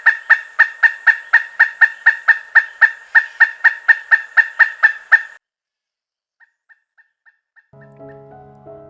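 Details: Pileated woodpecker giving a rapid run of about eighteen loud, even, nasal notes, roughly three per second, for five seconds, then a few faint echo-like notes and soft music starting at the end.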